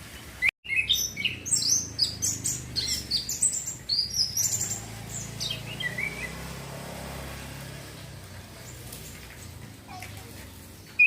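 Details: Orange-headed thrush, a young male learning ngeplong ngecir song and used as a training lure for young birds: a rapid, continuous stream of high chirps and whistles for about six seconds, then steady background noise.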